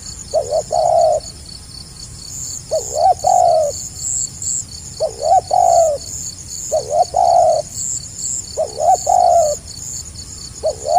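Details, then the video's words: Spotted dove singing in the stuttering, tight-spaced gagap rapat selang nguku style: five low cooing phrases, each a quick double stutter then a longer falling coo, about every two seconds over steady high insect buzzing. "SUARA BURUNG TEKUKUR GAGAP RAPAT SELANG NGUKU"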